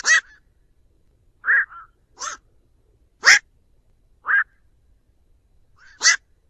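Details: Black-crowned night heron calling its flock, used as a trapping lure: six harsh, hoarse croaking 'quok' notes in 6.5 seconds at uneven intervals, some with a short trailing grunt, against a silent background.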